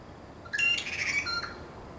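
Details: Taiwan blue magpie, the bird pictured on the thousand-dollar banknote and called a national treasure of Taiwan. It gives a burst of harsh, squawking notes lasting about a second, over a quiet background.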